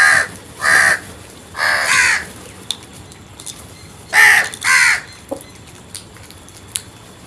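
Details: Crow calling with harsh, hoarse caws in pairs and a longer drawn-out one: two quick caws, a stretched caw, then another pair after a pause, with sharp clicks between.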